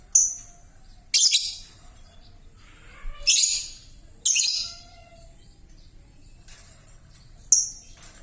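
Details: Young lovebird whose chattering voice is still hoarse and cracked: harsh, raspy screechy bursts, four loud ones spread over several seconds, with quieter scratchy notes between.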